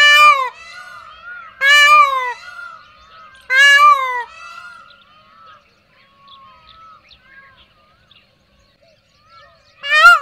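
A peacock gives four loud, nasal, wailing cries, each about half a second long, the first three close together and the last after a long pause. Softer bird calls sound between them.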